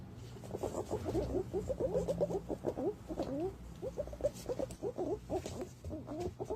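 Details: Green pigeon calls used as a lure: a dense, continuous chorus of short, wavering, twisting whistles from many birds, overlapping rapidly throughout with a low hum underneath.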